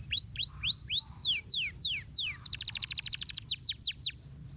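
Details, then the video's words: Canary master song for training birds, delivered as a run of clear descending whistled slurs, then a fast rapid-fire rolling trill of about a dozen notes and more sweeping slurs, with a steady high tone and faint low hum behind. "Masteran Kenari Gacor Ngeroll Nikmat"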